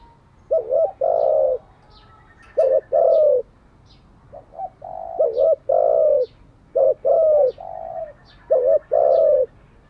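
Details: Spotted dove used as a decoy bird for training, cooing in repeated phrases: short wavering notes then a longer descending coo, phrases about every two seconds, with faint high chirps from other birds.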